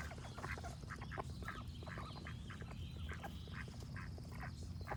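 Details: Duck quacks mixed with birds singing: repeated short, buzzy quacks in uneven clusters, high thin bird notes drifting above, and a continuous low rumble underneath.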